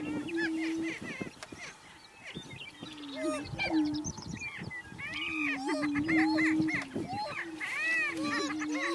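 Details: A single male Greater Prairie-chicken displays close to a blind in early morning sunlight, inflating his air sacs. He gives low, hollow booming moans of about a second each over a steady stream of higher whooping cackles and squeals.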